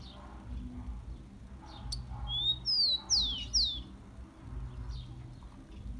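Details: Rufous-collared sparrow singing, used to warm up captive birds: a short run of clear, high whistles, the first rising, the rest sliding sharply downward, over a constant low rumble.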